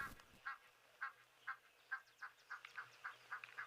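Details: Egyptian geese giving alarm calls at a jackal drinking at the water, recorded live on 12 February 2023; short harsh nasal honks repeated roughly every half second, about eleven in a row, over a faint low hum.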